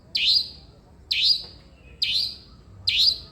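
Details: Four grating, downslurred rasps from a long-tailed shrike, evenly spaced about a second apart, part of a recording used to get reluctant shrikes singing.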